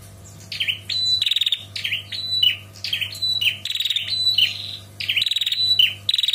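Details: A female bar-winged prinia calls for the male, giving long chattering trills mixed with short downslurred chirps in quick succession, with brief pauses between phrases and a steady electrical hum beneath.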